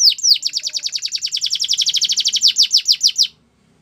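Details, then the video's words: A canary sings a sustained fast trill of sharply falling notes, repeated steadily and slowing slightly near the end into broader sweeps before stopping abruptly; high-pitched, with faint low background sound. "The BEST Canary Sounds!! Canary Training"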